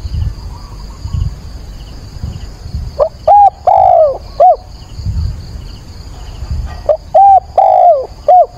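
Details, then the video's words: Dawn calling of a caged decoy spotted dove on 22 October during training sessions. Two identical four-note cooing phrases about four seconds apart, each with a long falling middle coo, after a quiet stretch of low rumble. "Cu mồi gáy gọi"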